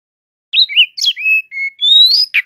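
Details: Brown-chested jungle flycatcher, an Indonesian songbird kept by song hobbyists, in loud 'gacor' form: short clean whistles, some rising and some flat, one long upslurred note near the end, against silence.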